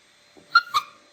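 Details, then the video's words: Pet macaws indoors, a male chick on a shoulder and a female calling from another room: two short, loud, rasping squawks in quick succession, the second slightly longer, preceded by a faint low grunt. "Как кричит попугай ара"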